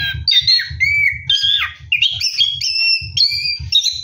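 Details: At night while bathing, an orange-headed thrush delivers a ngeroll song of rapidly changing clear whistles, slurred up and down, with short chirpy notes between them and faint low thumps underneath.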